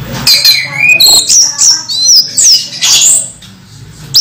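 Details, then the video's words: Moulting caged orange-headed thrush singing a dense, continuous run of high, rapidly changing whistles, trills and mimicked-sounding squeaks, with few pauses over several seconds. "Anis merah mabung masih teler"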